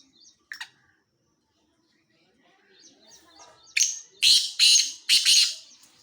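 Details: Black francolin calling: after a quiet start with a few faint chirps, three loud, harsh, grating bursts follow in quick succession near the end, rasping and broad in tone.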